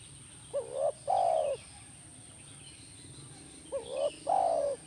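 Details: Spotted dove calling for a caged dove to answer: two mellow coo phrases about three seconds apart, each a short rising note then a long, smooth falling coo.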